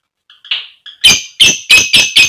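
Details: Female lovebird calling to the male to prompt him to answer and chatter: a few faint, short squeaks, then five loud, harsh, shrill chirps in quick succession, roughly every third of a second.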